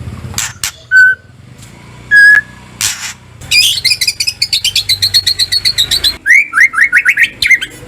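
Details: Kretekan-style white-rumped shama song meant to get the bird singing: a few pure whistled notes, a long rapid rattle of clicking notes, then a run of quick downslurred whistles.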